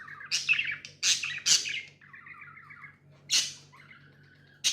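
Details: Budgerigars kept as pets give loud, sharp squawky chirps separated by softer buzzy, trilled chatter that holds steady for a second or so, over a constant low electrical hum.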